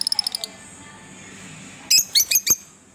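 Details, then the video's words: Two pet green Fischer's lovebirds: a rapid run of six thin ticking notes opens, then after a pause come four loud, harsh high chirps in quick succession, over a steady low hum. "Lovebirds as pet , Chirping sounds|Green Fischer pair"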